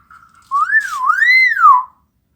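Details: Hill myna in Palembang, recorded indoors in a small room, giving a single clear whistle that swoops up, dips, then rises and falls again over about one and a half seconds, with a brief breathy burst midway.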